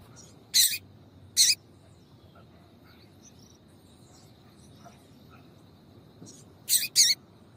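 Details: Female double-collared seedeater (papa-capim) giving short, high, sharp chip notes, paired and well spaced, over a faint steady hum; female calls used to stimulate males to sing.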